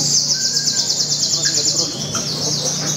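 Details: Sogon singing at a bird contest in Tasikmalaya, a loud, high-pitched, rapid chattering trill without a break, with a few short whistles from other birds.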